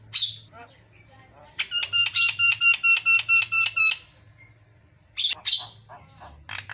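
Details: Javan myna in lively song: a sharp chirp and scratchy notes, then about ten loud, evenly repeated harmonic buzzy notes, followed by further harsh chips, with a constant low hum behind.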